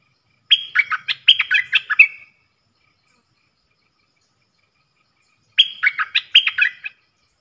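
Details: Dok taeng bulbul kept in a cage, dueling in song with wild birds on 3 October 2021: a fast, jaunty phrase of clipped whistled notes ending in a short buzzy trill. A second, shorter phrase follows after a three-second pause.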